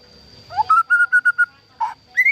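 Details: White-rumped shama, captive-bred, singing: a short upslurred note, then five steady clear whistles at one pitch, a pause, a burry low note and a final rising whistle.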